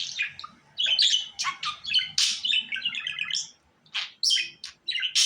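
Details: Domestic budgerigar giving busy, scratchy warbling: clipped squeaks, buzzy notes and short trills in uneven bursts. There are brief gaps and a faint low rumble behind.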